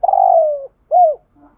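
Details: Spotted dove used as a decoy, cooing thúc gù: one long, slightly quavering low coo that sinks gradually, then a shorter arched coo and a faint soft note.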